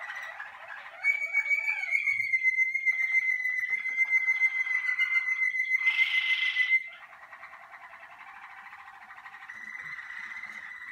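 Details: Malinois Waterslager canary warming up on early sessions in the singing cabinet: a long, unbroken whistled note over fast gurgling rolls, a brief burst, then a quieter rolling trill.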